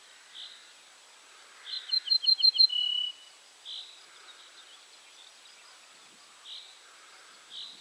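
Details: Ortolan bunting recorded 3 June 2017 at Julków: short high notes every second or two, plus one phrase of about five quick repeated notes ending in a lower drawn-out tone, over a quiet background.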